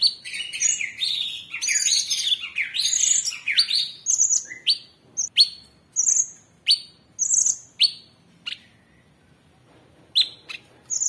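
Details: Caged Orange-bellied Leafbird in gacor tembakan style for training other cage birds: a rich warbling run of slurred rising whistles for four seconds, then well-spaced sharp descending chips repeated roughly every second.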